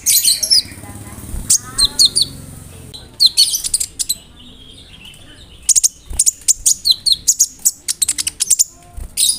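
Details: Konin bird in full song, its repertoire filled with imitations of crickets and of birds called brem, kamade and rambatan, used as a tutor for other songbirds; bursts of very high, sharp chirps and quick notes, with pauses between phrases.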